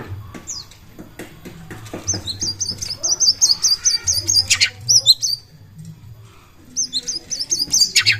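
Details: Oriental magpie-robin song used as a lure to provoke other birds into singing: high, clear whistled notes repeated in quick runs, with bursts of sharp chattering and a steady low hum underneath.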